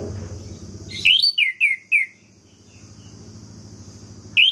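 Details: Orange-headed thrush song played to make rivals rage: a fast run of four or five falling whistles, then a steady high hiss and low rumble, with one more whistle at the end.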